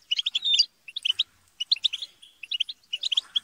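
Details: Group of European goldfinches bickering and chattering to spur song: short clusters of bright, clipped twitter notes separated by brief silences, one thin rising whistle early on.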